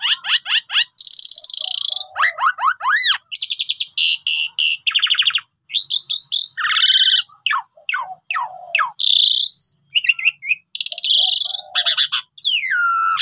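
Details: Pied myna in long continuous song used as a lure so that other birds answer: dense mix of harsh buzzy bursts, falling whistles, sharp clicks and low nasal notes with barely a pause.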